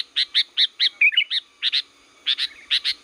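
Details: Sooty-headed bulbul from Liwa, used as a lure call for the forest or home: quick series of short bright chirps, roughly five per second, with a brief warbled twist in the middle and a faint steady whine behind.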